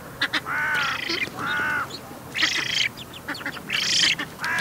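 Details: A young Eurasian Spoonbill (Platalea leucorodia) at Bislicher Insel, 12 September 2021, 15:35, begs for food with harsh, nasal, quacking calls, about four half-second bursts in under five seconds, each rising and falling.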